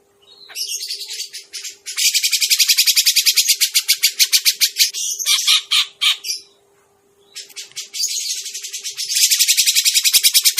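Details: Grey-cheeked bulbul lure for catching birds: long stretches of fast, high, grating chatter, roughly three to four notes a second, interrupted by a silent gap of about a second, with a faint low hum throughout.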